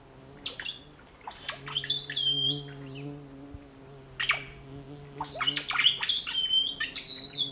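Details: Three red-bellied grackle chicks fed at their nest, La Romera reserve, Sabaneta, Antioquia, Colombia, 2012; fast runs of shrill chirps and harsh squawks, about three per second at peaks, over a low droning hum.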